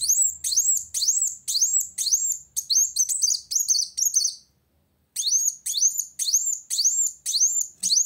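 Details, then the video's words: Van Hasselt's sunbird in vigorous rival-challenging song: steady series of high, piercing upward-sweeping notes about twice a second, a half-second break, then the same ringing notes resume. "Kolibri Wulung Gacor Cari Lawan"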